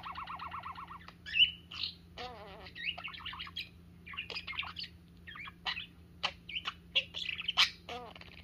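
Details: Parakeet playing with its owner's fingers, a sign of love and trust; softer, varied chatter mixing a rapid pulsed warble, a wavering trill, scratchy squawks and sharp chirps.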